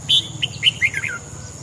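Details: Red-whiskered bulbul singing in the morning, recorded for voice training: one fluent phrase of clear, whistled notes stepping downward from high to lower pitch over about a second, with steady low hum beneath.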